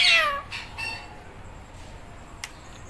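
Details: Green Indian ringneck parrot giving a short, falling, cat-like meow at the start, followed by a few faint softer notes and a click.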